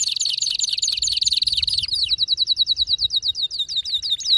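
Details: Excited canary in full song, a dense high trill running almost two seconds, followed by a clear series of quick downslurred whistled notes repeated several times a second.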